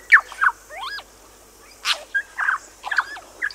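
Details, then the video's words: A New Zealand bellbird on Little Barrier Island sings short phrases: sharp strokes, paired rising and falling whistled slurs, and bursts of chiming notes separated by a brief pause, against a hissy natural background. "Bellbird. Song. Little Barrier Island, New Zealand"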